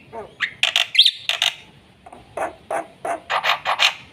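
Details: Black-winged myna singing a fast, full song meant for teaching young birds: a rising whistle, then scratchy bursts and harsh squawks, a short pause, and a run of rapid grating notes.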